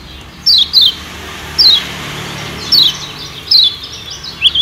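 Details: Lombok white-eye lure for attracting wild birds: repeated high, thin, falling whistles, about one a second, some in quick pairs, with a soft background hiss.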